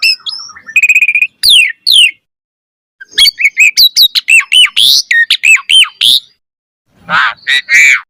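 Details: Asian pied starling singing vigorously with full varied chatter; loud bursts of whistles, harsh squawks and rapid rising and falling notes, broken by short silences, close and clean.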